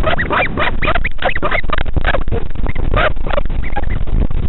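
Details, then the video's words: Northern royal albatross father back at the nest checking on his chick at the Pukekura/Taiaroa Head colony near Dunedin, New Zealand, the pair communicating: loud, dense run of braying, wavering calls with rising and falling tones, nearly continuous over low rumbling noise. "Dad checks up on the chick - with sound!"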